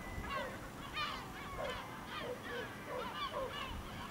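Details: Gulls over a village in El Ortegal until nightfall, giving clear, repeated downslurred yelping cries roughly twice a second, several birds overlapping, over soft background hiss.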